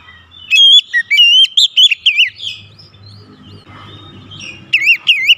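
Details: Kacer, the Oriental magpie-robin, in a singing-stimulation recording with varied fill-in phrases: clear whistled notes and wavering slurs in a fast run, a softer muffled stretch, then another bright whistled burst.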